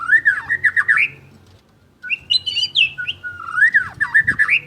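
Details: Champion white-rumped shama in full song: rich whistled phrases that swoop and warble up and down, a short pause, then a higher run of bright notes followed by rolling, looping whistles.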